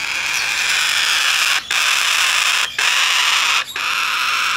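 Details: A captive-bred, hand-tame blue-eyed cockatoo chick, recorded 14 September 2019, gives a harsh, continuous rasping screech broken only by three brief pauses for breath.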